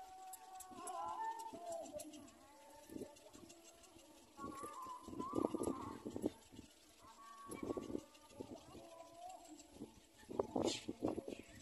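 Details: Little black cormorant chick begging while feeding from its mother, reaching into her throat; a run of harsh, wavering, squealing calls in uneven bursts, some gliding up and down, with scattered clicks and rustling.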